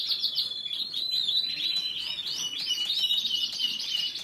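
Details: High, continuous canary song of looping, rolling trill notes repeated in quick succession, bright and steady throughout the short phrase.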